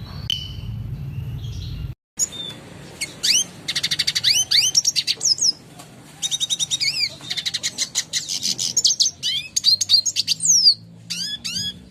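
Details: Red siskin clear song used as a master to tutor caged birds: a long, varied run of high twittering trills, rapid buzzy rattles and sweeping upslurred whistles, after a brief low hum at the start.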